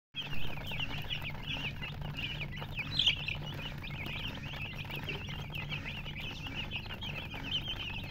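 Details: Baby chicken chicks chirping in a dense, continuous chorus of short, high, rising-and-falling peeps from many birds, with a steady low hum underneath.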